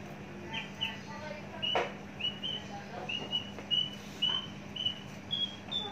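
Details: Caged, long-kept, mature Javan bush lark with a very large body singing a varied string of short whistled notes, some rising and some falling, with a few lower chirps between them, delivered about twice a second.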